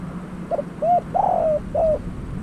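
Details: Spotted dove used as a new decoy bird for trapping, giving soft rounded coos with a longer burry middle note, four notes in quick sequence over a low background hum.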